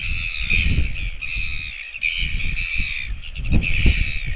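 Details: Northern royal albatross, recorded 16 August 2024, giving a long, harsh, nasal call in three drawn-out phrases over heavy wind rumble.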